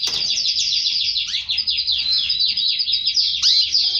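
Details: Canary singing in connection with mating with its female, delivering quick chains of short descending sweeps at a fast even pace, with a couple of louder swooping notes.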